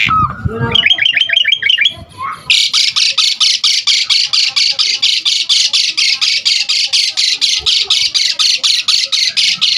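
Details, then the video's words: Asian pied starling in full, varied song used to draw in and train starlings: a low slurred whistle and a brisk series of short whistled notes, then a long, even run of harsh rasping notes. "Jalak Suren GACOR Full Isian Mudah Untuk Pancingan Masteran Semua Burung Jalak"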